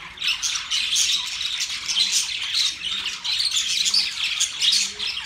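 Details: Mating budgerigars singing as a group, a steady wall of shrill twittering and scratchy chirps with quick rises and falls, loudness surging roughly every second.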